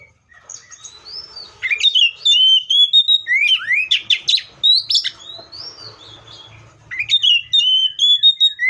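Seychelles magpie-robin singing rich, varied whistled phrases with sweeping slurred notes and quick chattery bursts, in loud clear spurts with brief pauses between.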